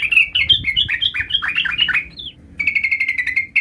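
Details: Sooty-headed bulbul, a young bird learning its rolling song: a fast run of bubbly, rolling warbled notes for about two seconds, a brief pause, then a rapid chattering string of short repeated notes.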